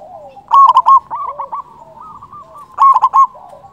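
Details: Local zebra dove, a loud, persistent singer used as a trapping lure and to stir other doves' breeding drive, gives a clipped, bubbling coo phrase near 0.5 s and again near 2.8 s, with softer cooing from other doves between.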